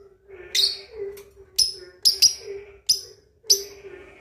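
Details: A 2.5-month-old lovebird learning ngekek chatter, used to provoke rival birds: loud sharp squeaky chirps every half second or so, some doubled, over a steady low droning tone.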